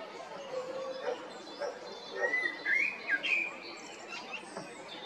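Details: Male common blackbird singing in spring 2022 in Zagreb, Croatia, at Jarun or Prečko: low mellow notes followed by clear whistled phrases sliding up and down, ending in a thin twitter, with other birds chirping behind.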